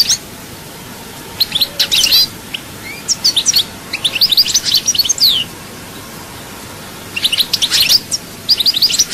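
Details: European goldfinch, Souk Ahras chaayba song: scattered high, tinkling chirps and buzzy twitters in bursts, a quiet interval near the middle, then a renewed flurry of sharp notes.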